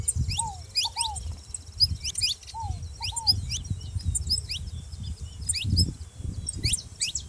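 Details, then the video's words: Saffron finch calling together with a ground dove: rapid high chirps and upward slides in small groups, a few lower downslurred double notes early on, and continuous low background noise. "canário da terra fazendo barulho junto com rolinha"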